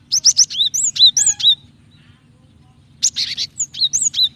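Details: Female cinereous tit (gelatik batu) calling to a male, used to provoke males into singing; two bursts of rapid, high, thin chirps and short whistled notes, the first about 1.5 seconds long, then a pause and another burst, over a faint low hum.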